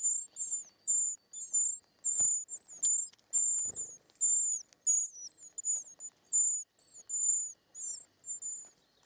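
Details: Begging from short-toed treecreeper chicks at the nest during feeding: steady series of high, thin hissing bursts, some with little downward hooks, repeated about one and a half times a second, with occasional soft taps.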